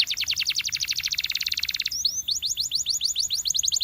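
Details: Properly trained canary delivering a fast, even trill of bright downward-slurred notes for about two seconds, then switching to a slightly slower series of high whistled upward-flicked notes.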